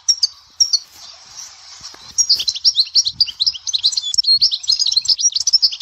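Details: Goldfinch from Dahouara, Souk Ahras: a few isolated high chips, a soft hissing stretch, then a sustained rapid twittering song of sharp, tinkling notes for the last half.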